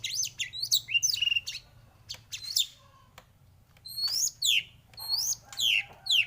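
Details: White-rumped shama in a morning trigger recording meant to get shamas singing: loud clear whistled phrases, each sweeping up then down, in bursts separated by short pauses, with a low steady hum underneath.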